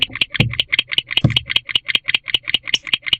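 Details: A pair of barn owls in a nest box at 3:28 am on 18 November 2023, showing affection, give quick, high chittering clicks, about five a second, over occasional low thumps and bumps.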